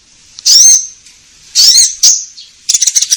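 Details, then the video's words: Orange-headed thrush, a lure recording for caged birds: two long loud slurred whistles with a rising-then-falling sweep, a short note, then a fast twittering trill at the end. "Pancingan Konin Gacor Langsung Nyaut"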